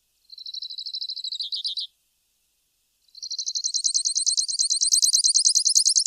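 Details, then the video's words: Grassland yellow finch (Sicalis luteola) song: a short high trill of evenly repeated notes falling slightly at its end, a pause, then a longer, louder rapid trill of high buzzy elements lasting about three seconds. "Misto Canto - Misto Llamado - Sonido! Cantando! - Grassland Yellow Finch Bird Song - Sicalis Luteola"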